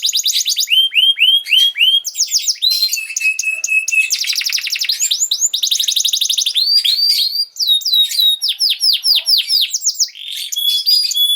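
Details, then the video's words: Canary song used to train young canaries: long continuous performance of repeated arched whistles, steady tones, dense trills and fast rolls, changing phrase every second or two. "This Canary Sound Is Very Effective For Early Childhood Canaries To Sound || Voice of Canary"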